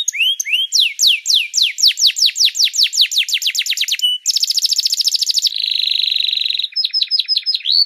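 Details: Canary singing in a master recording meant to teach songbirds: repeated downward-sweeping whistled notes at about two per second, a short pure tone, then rapid buzzing and rattling tours before clipped rising chirps. Clean, without background noise.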